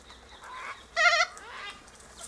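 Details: Sulphur-crested Cockatoo eating seeds from pods high in a silky oak tree, where the flock always gathers; one loud, strongly harmonic squawk of about a quarter second, framed by softer, wavering calls.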